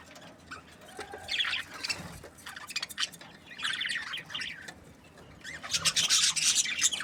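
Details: Happy breeding-pair budgies chirping softly in rapid scratchy runs, several birds overlapping, with the busiest, loudest chatter at the end and faint low background hum.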